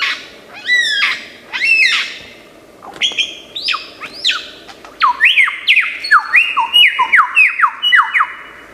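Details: Lyrebird of Australian forests, renowned mimic, sings loudly: two descending whistled cascades, then a series of rising and falling slurred whistles, roughly one per second, with looping downward swoops toward the end.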